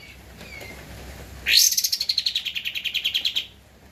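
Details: Energetically singing Javan white-eye (kapas tembak) on a master recording for training cage birds: faint thin whistles, then a sudden high-pitched onset and a two-second trill of roughly eighteen rapid, evenly spaced notes.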